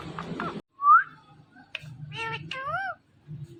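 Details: Indian ringneck parakeet that talks. A brief murmur opens, then one clear rising whistle. Harmonic, voice-like syllables with swooping pitch come next, over a low background rumble.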